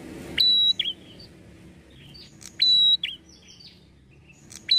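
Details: Red-headed prinia call played to provoke prinias to answer: three loud, level, high whistles spaced about two seconds apart, each with a trailing chirp, separated by quieter scattered chirps.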